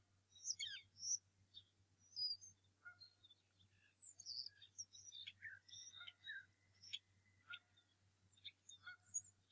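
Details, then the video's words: On a March 2018 morning at the Decorah North Nest, a bald eagle father drives off an intruder. A nest camera picks up a steady, fairly quiet chatter of high squeaky chirps and short whistles over a low hum. "Intruder is back - So is Dad"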